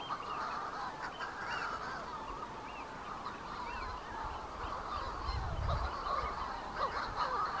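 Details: Manx shearwaters near the bird observatory on Bardsey Island call in a dense, overlapping chorus of harsh, crowing cackles that rise and fall, with a low rumble of wind about midway.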